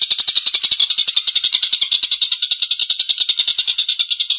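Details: Harsh laughing call of a Collared kingfisher in full voice, a fast series of rasping notes at about three and a half per second, steady throughout this short stretch.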